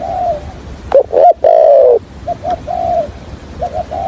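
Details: Trapping decoy spotted dove giving a stuttering call and coo in the 'hạp bổi' deep voice: a few quiet clipped notes, then two loud harsh bursts and one long falling coo, then soft short notes again.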